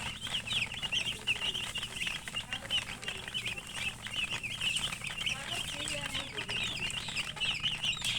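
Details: Chicken chicks chirping in a continuous high chorus of wavering peeps, overlapping and busy, with faint low murmuring and scattered clicks.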